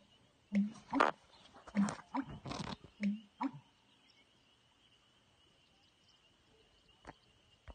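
An American bittern gives deep, hollow gulping "pump-er-lunk" phrases, about three in four seconds, over a thin, steady high-pitched insect whine.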